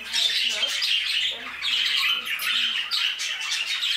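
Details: Budgerigars in an aviary give loud, constant squawking and chirruping chatter, dense and high-pitched, with faint low murmurs in the background.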